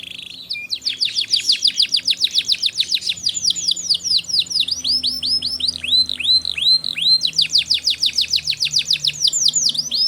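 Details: Canary song used to stimulate young canaries into singing, a training tutor: rapid runs of high rising and falling notes, rolling trills alternating with arched repeated syllables, sustained and loud throughout.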